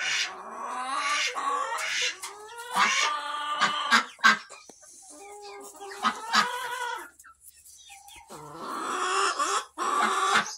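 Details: Barn flock of mixed chicken breeds with hens and roosters, recorded August 26, 2023: overlapping harsh squawks and nasal clucks, some drawn-out wavering calls, a brief lull near seven seconds, then a renewed burst of raucous calling.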